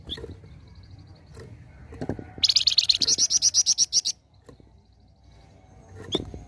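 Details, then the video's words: Singing flamboyan bird, called gacor, in besetan form: one quick burst of rapid, bright, high repeated notes near the middle, with faint thin trills and occasional dull knocking sounds before and after. "Besetan Burung flamboyan gacor"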